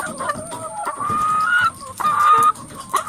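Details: Many hens in a coop: long, drawn-out squawking calls held level, two of them lasting about half a second each, over a bed of overlapping clucks from the flock.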